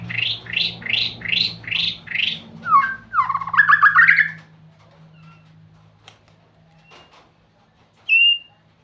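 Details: White-rumped shama singing sweetly: six evenly spaced buzzy notes, then a dense, harsh, tumbling burst, followed by a pause and one clear high whistle near the end.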